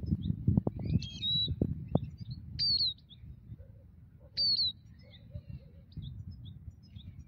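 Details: Migratory European goldfinch near a ground net set for trapping: a few loud, clear, high whistled calls that slide downward, with soft scattered chirps between them and rustling, knocking noises in the first two seconds.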